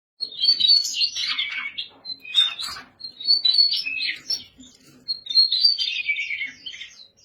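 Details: Daurian redstart singing: rapid bursts of high, varied chirps and short warbled phrases, separated by brief pauses, with a few faint lower notes underneath.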